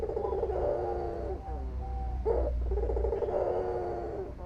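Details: Albino white dove (puter), a local dove kept as a songbird, cooing in a steady low rolling coo around a main tone, with a brief higher break midway and constant low background hum.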